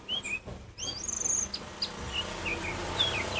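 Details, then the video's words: Oriental magpie-robin of the kacer poci type sings loudly to provoke other magpie-robins into calling. High, clear whistled notes come in short separate phrases, with some sliding up or down, and a brief louder run of whistles in the middle. "Kacer Poci Nyusun Lagu ‼️Kacer Poci Diam Pun Auto Nyamber Bunyi Kencang"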